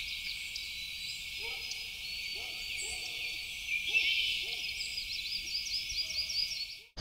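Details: Yellow-rumped Warbler in Prospect Park near the large lake sings a loose, high trill of quick notes in a compressed pitch range that doesn't sound bright, while a man speaks quietly underneath.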